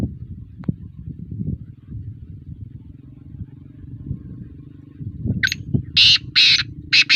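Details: Kala teetar, the black francolin, gives a run of rough, rasping notes late in the recording, four or five harsh bursts cut off at the end, after several seconds of low rumbling noise.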